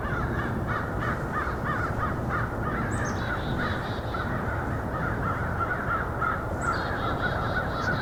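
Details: Several American Crows, about five counted during a winter Christmas Bird Count, raise an excited racket of harsh, overlapping caws in quick succession over low wind rumble; possibly reacting to a predator or rival crows.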